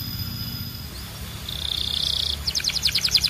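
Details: Canary song starts faint, then a buzzy sustained trill rises in loudness and gives way to a quick run of pulsed high notes.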